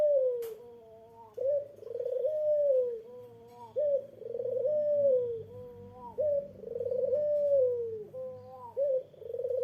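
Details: Insistent cooing by a Eurasian collared dove to goad a rival into replying: deep fluttering-then-smooth phrases repeated roughly every two and a half seconds over a faint low hum.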